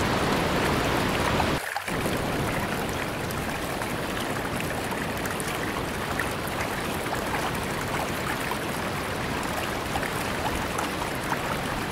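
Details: Steady broadband rushing like flowing water or rain fills the whole recording, with a brief thump near the start and no animal calls.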